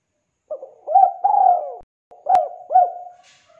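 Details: Low cooing song of a spotted dove (tekukur), kept as a lure for birds that have stopped singing: a run of short and drawn-out rolling coos with a brief gap, interrupted by one sharp click.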